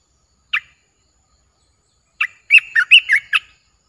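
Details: A single sharp chirp, then after a pause a loud, bouncing phrase of gurgled notes from a caged olive-winged bulbul, recorded 29 June 2021.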